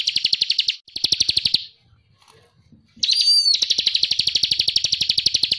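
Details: Bar-winged prinia, known locally as ciblek kristal, in lively ngebren ngonci singing meant for tutoring songbirds: short bursts of fast, buzzy high trilling, a quiet gap, then a sharp rising whistle leading into a long sustained trill.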